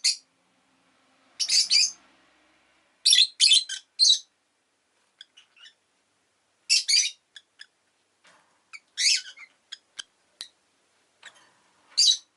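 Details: Lovebird chirping: loud, high, scratchy chirps in clusters separated by pauses, with softer faint ticks between and a brief low hum early on.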